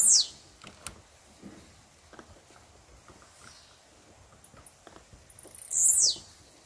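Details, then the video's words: Blue-black grassquit singing in the wild: a high buzzy downward note at the start, scattered soft clicks, then a second loud, sharp, descending buzz about five and a half seconds later. "Tiziu na natureza"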